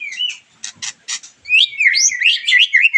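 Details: Shama lure song, white-rumped shama, aimed at a moulted bird to boost excitement and breeding urge: a brief whistle, three harsh buzzy rasps, then a dense high torrent of bright looping whistles.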